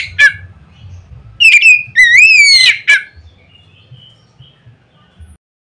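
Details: Loud Oriental magpie-robin song used to provoke other magpie-robins into singing: a short chip, then a burst of clear rising whistles and a sharp final note, followed by quiet with a low hum.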